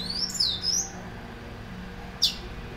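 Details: Caged white-collared seedeater, known locally as bico laranja or argolinha branca, well kept by its owner and singing a lot: a short burst of high whistled sweeping notes, then one sharp high note after a pause.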